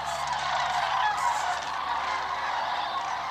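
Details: A migrating flock of sandhill cranes flying low and swirling overhead on the southward route across Georgia and Tennessee, giving a dense, continuous chorus of overlapping rolling, trumpeting calls with no single voice standing apart.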